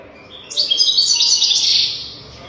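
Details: European goldfinch song for training young goldfinches: one continuous, dense burst of high, rapid twittering and tinkling notes lasting about a second and a half.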